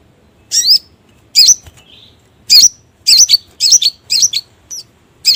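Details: Sogon calls played as a trapping lure: loud, high, bent chirps at irregular intervals, some doubled into quick pairs, with one soft low whistle between them, over a quiet background.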